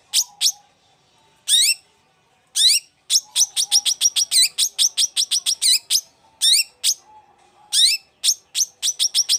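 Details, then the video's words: Long-tailed shrike in full, animated song: clusters of high, sharply falling whistled notes, often in rapid series of ten or more, separated by short pauses. "CENDET GACOR"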